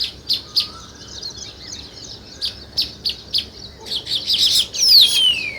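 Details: Sparrow chirps given as separate sharp high notes, spaced unevenly, then thickening into rapid chatter, ending with a loud descending squeal-like sweep.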